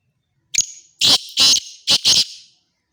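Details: Black francolin call recorded at Khushab: one sharp upslurred note, then four loud rasping bursts in two close pairs, over a clean silent background.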